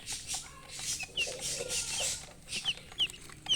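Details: A few sharp, high, falling chick peeps, mostly toward the end, over hissy rustling noise.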